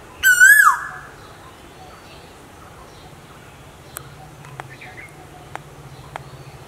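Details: One loud rising-and-falling whistle of an Asian koel opens the recording, which features male and female birds. Several seconds of quiet follow, with scattered sharp clicks.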